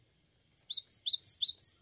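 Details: Short, energetic phrase from a cinereous tit: about seven clear, high notes delivered quickly, each dipping between upper and lower pitch, on a silent background.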